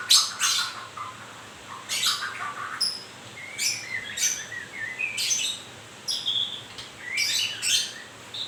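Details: A white-rumped shama losing its feathers sings rich phrases: rasping bursts followed by rising whistled slurs, repeated roughly every second with short pauses between.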